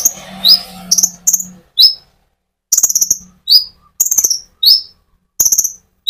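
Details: Olive-backed sunbird in full song, used to provoke other sunbirds from young green birds to metallic adults; sharp high notes that drop in pitch, given in quick clusters of two or three every second or so.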